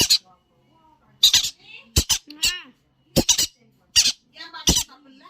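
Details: Baby Yellow-sided conures at play give loud, rasping squawks in clustered bursts, a few seconds apart, with fainter chattering and quiet voices in a small room.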